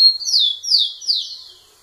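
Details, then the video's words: Rufous-collared sparrow singing to a female; a single loud close phrase of a steady high whistle followed by three descending slurred notes. "Tico tico cantando muito na cara da fêmea"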